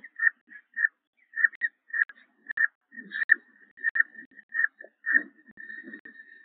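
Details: Peregrine falcon at a nest in Liempde on 19 April 2021, when the second chick had just hatched; short, thin, mid-high peeps repeat in quick irregular runs, about one every half second, with soft low rustling underneath.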